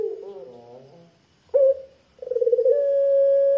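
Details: Barbary dove of the puter pelung type, kept as a lure for other doves, giving thick, deep coos: a wavering low note, a short sharp 'kwook', then a long steady sustained coo.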